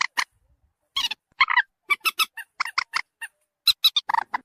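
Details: Common moorhen lure call intended to draw birds closer: irregular bursts of squawking, buzzy notes, a few tight doublets and a rough final cluster.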